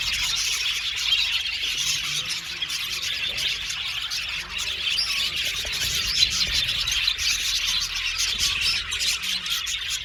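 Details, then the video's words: Crowded aviary of blue male budgerigars, steady high-pitched chirping and warbled chatter from many birds, dense and continuous, with a louder sharp note near the middle. "Beautiful Bule Male Budgies sounds | Budgies chirping sound"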